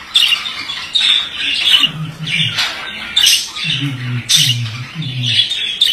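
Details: Male budgerigar warbling in a fast chattering run of scratchy, high chirps and clicks, broken by short pauses, with lower, hoarse murmuring notes underneath in the second half.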